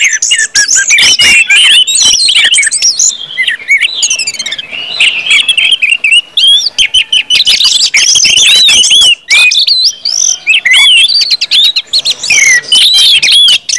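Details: Orange-headed thrush 'ngeplong' song, a long unbroken outpouring used to spur other birds: rapid twittering, looping whistled slurs and scratchy notes run together for many seconds, with only brief breaks.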